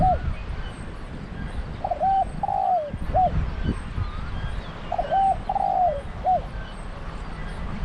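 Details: Spotted dove serving as a decoy bird at a trap pen, giving two phrases of low, mellow coos: a hooked double note, a long drawn coo sliding downward, then a short closing coo, over steady low rumbling background noise.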